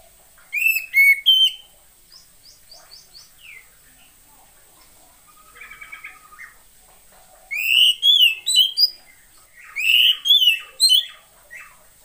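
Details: Oriental magpie-robin female, a recording used to spur idle males into singing. Clusters of loud, clear whistles with quick slurs alternate with softer thin notes and a brief buzzy chatter. The series is varied and recurs across twelve seconds.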